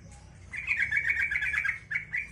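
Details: Yellow-vented bulbul song used to prompt other bulbuls to reply: a continuous bubbly stream of quick warbled notes lasting well over a second, ending in two short separate phrases, over low background noise.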